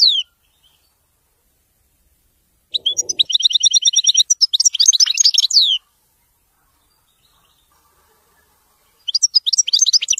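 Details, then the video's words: Goldfinch song in the wedani style: after a long silence, a quick rattle of high, even chirps flows into sweeping, slurred twitters. It stops abruptly, and a fresh burst of bright notes starts just before the end. "تغريد ويداني لطائر الحسون"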